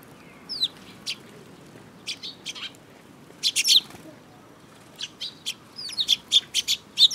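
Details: Sparrows chirping at a Tenmangu shrine on 5 June 2022, including a mimicking bird: scattered high tweets turn into quick runs of clipped notes, with a dense burst midway and a rapid rattle of chirps near the end.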